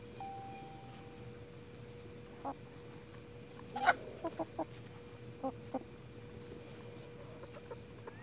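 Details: Plymouth Rock and Hamburg hens: one louder squawk-like cluck near the middle, then a run of short clucks spaced about half a second apart, over a steady background hum.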